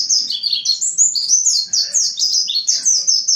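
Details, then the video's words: Lively lure song of a mountain white-eye, meant to get other white-eyes singing: dense, high-pitched twitters tumbling downward in quick succession, each phrase bright and slurred, with no other sounds. "Suara asli pleci montanus gacor buka paruh pancingan pleci ngalas gacor nembak"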